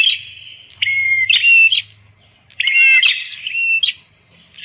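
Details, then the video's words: Red-headed prenjak, master song: two shrill buzzing phrases with whistled slides, separated by a quiet gap, over a faint low hum. "Suara ampuh Master burung Prenjak kepala merah"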